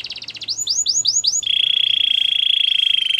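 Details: Gloster canary singing a brief quick trill and five arching whistled notes, followed by a long, even, rapid rattling roll held at one pitch.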